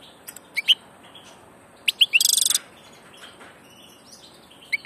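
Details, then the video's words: Migrating European goldfinch giving scattered bright chirps, then a rapid buzzy trill lasting about half a second, followed by more sparse high tweets. "Jilguero del paso"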